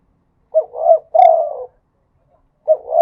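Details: Spotted dove giving a full three-part coo in the khat and nun styles: a short note, a rolling rise and a long, descending throaty coo. A fresh phrase begins after a one-second gap.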